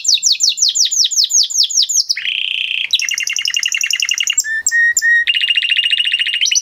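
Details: Song of an excited male canary ('mast'): a string of fast descending whistled swoops, then a low buzzy roll, a bright rapid trill, spaced clear notes and another rolling buzz.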